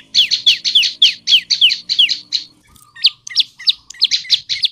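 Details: Downward-slurred high chirps from a tailorbird (prenjak lumut), repeated quickly as a lure to start male and female birds singing, then spaced single notes, over a soft low drone.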